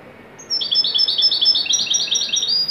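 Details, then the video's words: Widani-style song of a Moroccan goldfinch, an unbroken run of quick high twittering notes, liquid and rolling, sustained for around two seconds over a faint background hiss. "تغريدة طائر الحسون الويداني المغربي"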